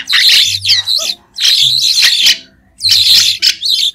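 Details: Song of a white-shouldered starling, recorded free of background noise: three long bursts of scratchy, twittering chatter with squeaky whistles woven through, separated by brief pauses.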